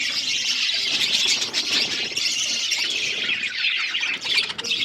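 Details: Budgerigars in a flock giving an unbroken wash of high, scratchy chirps and squeaky chatter, dense and even in loudness throughout.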